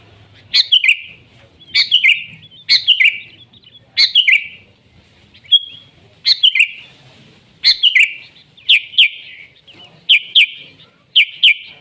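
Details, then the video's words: Sooty-headed bulbul recorded in the wild, singing lively 'gacor' song: short bright chirpy phrases with downslurred notes, repeated at irregular intervals of one to two seconds, with faint low rumble in the background. "Suara Burung Kutilang Gacor ASLI ALAM lanjut NGGARUDA"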